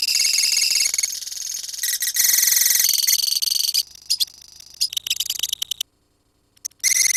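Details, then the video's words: Colony of lovebirds giving long ngekek trilling song: dense, rapid high chattering trills in bursts, with short pauses and a brief silence before the trilling resumes. "KICAU LOVEBIRD KOLONI INI TERBUKTI HANYA BUTUH WAKTU 4 MENIT SAJA LANGSUNG NGEKEK"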